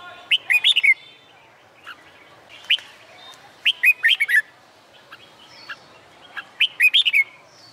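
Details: Red-whiskered bulbul singing in summer sun, used in training for song contests; short bright whistled phrases of three to five quick warbling notes, repeated about every one to two seconds, with faint other chirps between.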